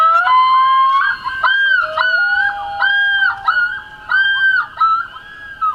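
A common loon gives a long, rising, wolf-like wail, then repeated yodeling, undulating notes that break and swoop; clear and ringing with little else behind it.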